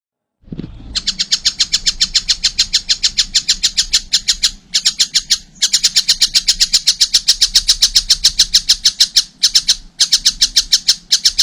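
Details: Young collared kingfisher calling steadily: a long run of harsh, high, clipped notes at about three or four per second, broken by a few short pauses, with a faint low hum underneath.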